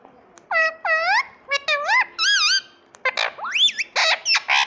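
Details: Pet Indian ringneck parakeet chirping indoors: a quick run of loud harmonic squawks and chirps, some rising and some wavering, broken by short gaps, with a quiet room background.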